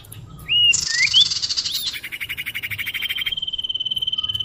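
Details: Common iora lure call to attract birds: two brief upslurred whistles, a harsh buzzy burst, then a long, even, rapidly pulsed trill that continues steadily to the end.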